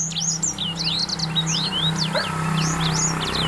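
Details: Courting grey singing finch, in breeding condition, sings a fast chattering run of high sliding whistles and twitters, notes tumbling closely together over a constant low droning hum.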